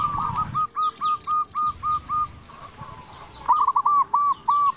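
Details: Local zebra dove, strong-voiced singer used to draw in and stimulate other zebra doves; a chain of even, separate coos, then a quicker rolling phrase, over a noisy background with faint higher chirps.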